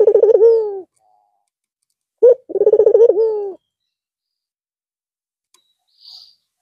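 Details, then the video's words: After the long Eid al-Fitr break, a white Barbary dove with red eyes coos again: two coos of stuttered pulses flowing into a long falling note, then quiet and a faint high chirp. "Puter Putih Mata Merah Manggung Lagi Setelah istirahat sekian Lama"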